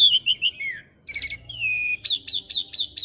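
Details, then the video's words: Asian pied starling song meant for young birds to copy: wavering whistles, a harsh burst, a long level whistle, then five sharp rising notes repeated evenly. "Masteran Jalak Suren Muda Agar Cepat Masuk Materi Mudah Di Tiru"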